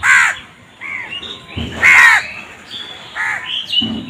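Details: Crows, in a compilation said to show crows fighting over food, give harsh, arched caws in quick succession, some with a higher nasal edge, spaced irregularly about half a second to a second apart.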